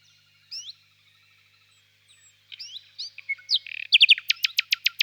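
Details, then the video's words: Quiet, widely spaced upward slurs from a common nightingale lead to a cluster of quick notes and then a crescendo of loud, sharp notes repeated at a steady pace. "пение соловья"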